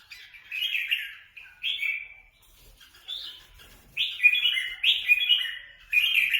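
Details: Red-whiskered bulbuls kept free-flying in Quang Nam, Vietnam, calling while fighting. Bright, slurred, warbling phrases come in short bursts with brief pauses, some overlapping as the birds call back and forth.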